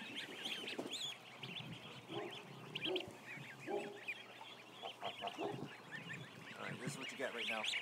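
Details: About a thousand ducklings in a barn: a dense chorus of high, short peeps, with lower honking calls breaking in around the second and third seconds, and a man's voice nearby.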